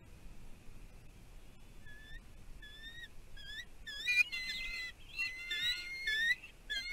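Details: Wild bald eagle pair at a nest on Catalina Island, California, USA, in 2023, as the male delivers a fish and the female claims it. Faint thin whistled notes build into louder high squeaky chittering, with steady background hiss.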